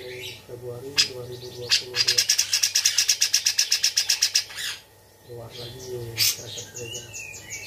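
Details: A tame Bearded bulbul pours out a fast, dry chatter of about six sharp, high chips a second, like sparrows, with low voices murmuring before and after.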